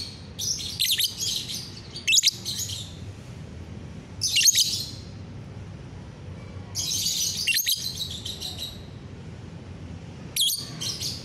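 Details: Lovebird gacoran on a clear morning, 30 November 2021: sharp explosive squeaky bursts and longer buzzy chattering phrases spaced by a few seconds of quiet, with a low steady hum.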